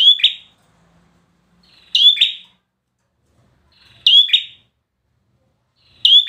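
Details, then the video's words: Performance-grade bar-winged prinia delivering piercing high chirps with a slurred downward tail, repeated roughly every two seconds for three full phrases, with clean quiet between. "PRENJAK KLAWU PRESTASI"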